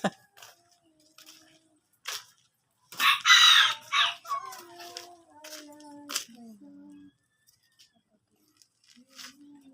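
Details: Chicken calling: scattered soft clicks and clucks, then a loud, raspy burst of about a second. Quieter harmonic cries and low, drawn-out tones trail after it, with brief sharp sounds throughout.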